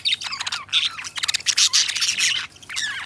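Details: Two pet budgerigars kept as companions chatter busily, a dense run of scratchy squawks, clicks and bright chirps packed close together with scarcely a break, loud and continuous throughout.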